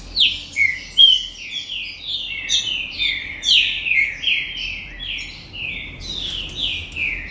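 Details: Captive green-winged saltator from a breeder singing the Gold Rush style: rapid series of clear whistled notes, many slurring downward, delivered roughly twice a second in a flowing, varied phrase.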